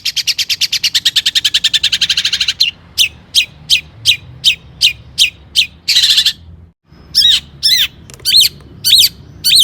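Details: Long-tailed shrike with mimicry-rich song, played to stimulate other shrikes; quick steady rattle, then evenly spaced sharp notes, a harsh burst, and looping whistled phrases after a brief pause.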